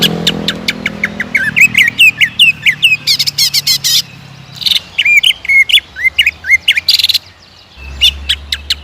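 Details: Greater green leafbird song for provoking caged birds to sing without pause. Varied rapid phrases: sharp chips, wavering whistled notes and dense bursts of chatter, with brief gaps between.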